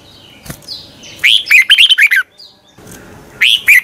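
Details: Red-whiskered bulbul morning song for provoking birds into singing; one rapid sequence of six or seven bright, curling whistled notes, then a short pause and the start of another phrase, a faint tap beforehand.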